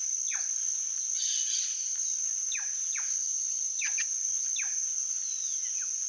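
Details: Plush-crested jay (Cyanocorax chrysops) giving five or six quick, sharply falling whistled notes at an irregular pace, over a steady high insect drone.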